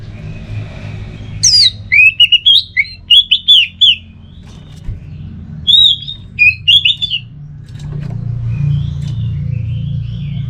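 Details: Orange-headed thrush teler song: phrases of rising, warbling whistles in groups of three or four, pausing between groups, with low rumbling background noise growing toward the end.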